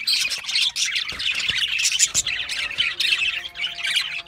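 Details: Loud budgerigar chatter with grating squawks and rapid chirps crowding together, with occasional sharp clicks in between.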